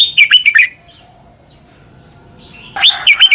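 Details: Red-whiskered bulbul doubled-style southern master song, played for young birds to copy: two bright, bubbly warbled phrases of quick chirping notes, separated by a pause of about two seconds, over a quiet background.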